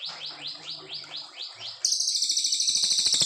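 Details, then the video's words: Brown fulvetta from Indonesia in a clear long 'nembak panjang' song, a master recording for training white-rumped shamas: repeated high, downslurred notes give way to a loud, rapid, buzzy rattling trill for the final second and a half. "Cililin gacor panjang"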